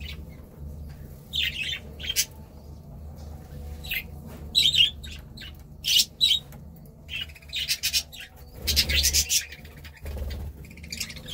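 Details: Budgerigar chatter: irregular runs of high, scratchy chirps and squawks in close groups, with a brief low rustling thump partway through and a soft hum underneath.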